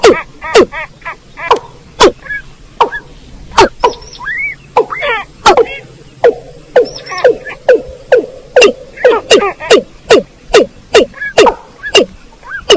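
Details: Watercock recording from rice fields, played as a lure for bird trapping: sharp, knocking notes that sweep downward, repeated roughly every half second, mixed with higher, nasal harmonic croaks between the beats.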